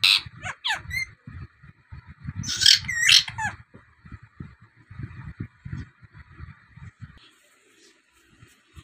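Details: Native rose-ringed parakeet, described as a talking bird making many kinds of sounds, gives a burst of loud harsh harmonic squawks over the first few seconds, then falls quiet over a low rumbling background.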